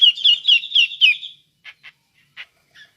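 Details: Cucak jenggot giving a lure call in the ngepik style: a chattering string of five wavering, slurred notes over about one second, followed by a few soft, isolated clicks.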